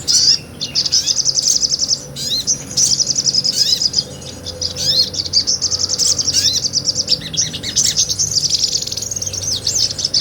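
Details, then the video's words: Lively ngobra singing of a sogon, or sunbird, a small nectar feeder, in a real recording kept as training song for cage songbirds; dense high twittering trills broken by sharp downward-sweeping whistled notes, with brief pauses between bursts. "MASTERAN SOGON NGOBRA"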